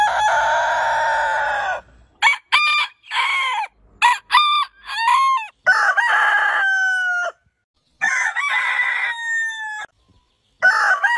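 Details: Roosters of heritage breeds crow in short, choppy bursts separated by sudden silences; the bright, stacked harmonic syllables swell, then trail into long sliding tails that drop in pitch.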